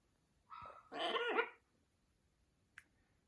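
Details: Amazon parrot talking: a short tonal call, then a longer harsh, warbling squawk that wavers in pitch, followed by a single faint click.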